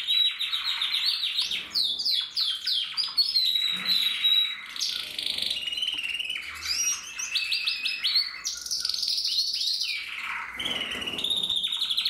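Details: A male canary sings on 15 November 2024: long varied song of rapid repeated trills, buzzy rolls and clear whistles, phrases changing every second or two, almost without break over twelve seconds.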